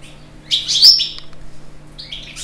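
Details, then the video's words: European goldfinch singing: a bright burst of high, twittering, tinkling notes, then a pause and a brief second twitter, over a steady low hum. "مقاطع تغريد طائر الحسون"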